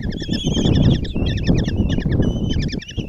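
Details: Common kestrel chicks, five in a nest box in Tiszalök, Hungary, begging during a breakfast feed by the female on June 26, 2024: quick, shrill trilled notes in tight repeated bursts over a low rumbling background.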